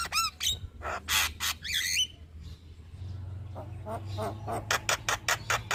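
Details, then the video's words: Caged Javan myna (jalak kebo) recorded as a master track to prompt other birds: harsh rasping squawks and a twisting whistle, a pause with low hum, then a fast run of sharp clicks. "Burung Jalak Kebo Gacor Mental Juara Tetap Bunyi Siang Malam Pas Buat Masteran dan Pancingan"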